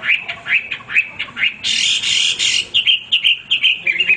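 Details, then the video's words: Male hwamei singing nonstop, kept as a tutor bird for training others: quick repeated slurred notes, then about a second of harsh, broadband squawking, followed by a fresh run of short whistled notes. "wambi gacor berkicau tanpa henti"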